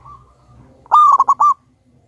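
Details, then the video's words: Zebra dove of local wild stock, used as a lure bird and described as loud and very vocal, gives a single brisk phrase of four staccato coos that roll into a sustained ringing final note after faint murmuring. "Pancingan burung perkutut Lokal Alam super Gacor suara Besar"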